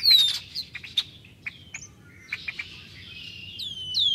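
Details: Spring flock of Red-winged Blackbirds recorded in early March 2010: sparse short chips and clicks, a few high downslurred whistles at start and end, and a soft buzzy wash of distant calling in between.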